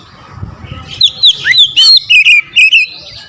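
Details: Oriental magpie-robin, provoked to sing against a rival, starts after a quiet second with fast whistled notes and clicks, then a rapid series of short sweeping whistles.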